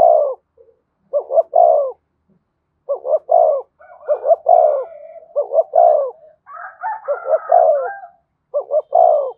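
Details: Spotted dove cooing, used to rouse a caged male: deep, soft two- and three-note coos repeated in phrases, with a higher, rougher dove voice joining toward the end.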